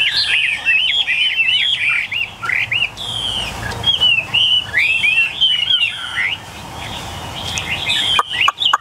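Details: Several of eight tame, newly acquired caged Chinese hwamei sing loud, rich phrases of rapid slurred whistles that swoop up and down without pause, possibly from more than one bird.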